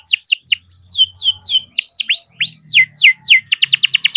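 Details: Young canary singing steadily, bred and kept in captivity, its song meant to coax lazy canaries into singing: a run of quick downward-sweeping whistles, then a rapid burst of sharp repeated notes, with a faint low hum beneath.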